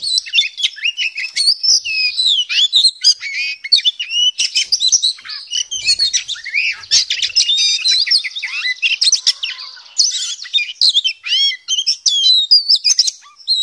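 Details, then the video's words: Oriental magpie-robin (kacer) sings a fast, unbroken stream of varied whistles, trills and sharp chattering notes, full repertoire, high-pitched and constantly changing, with no other sounds noticeable. "KACER POCI GACOR, NGOBRA FULL ISIAN"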